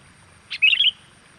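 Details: Sooty-headed bulbul lure call to attract wild birds: one sharp note then a loud, bubbly, warbled phrase lasting under half a second.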